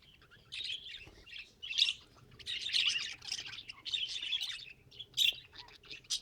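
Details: Pet budgerigar chattering in irregular bursts of grating warble and sharp high chirps, rising and falling in loudness, with a faint low hum beneath.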